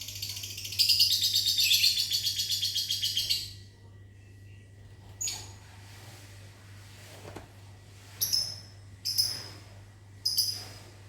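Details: Lovebird kept in a mini aviary, responding in the morning to whistling, produces a rapid chattering run of shrill buzzy notes for nearly three seconds, then quieter pauses and three separate sharp high calls near the end.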